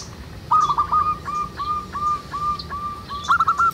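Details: Local wild zebra dove singing manggung at a little distance: a few quick notes, then slow evenly spaced rising coos about two per second, ending in another rapid burst, over steady background hiss.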